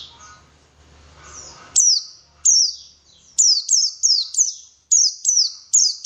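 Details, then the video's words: White-eye (pleci) song from a lure recording to encourage lively singing: after a soft, noisy start, sharp high notes that swoop steeply downward begin, repeated roughly every third of a second in an uneven chain. "PANCINGAN BURUNG PLECI SUPAYA GACOR"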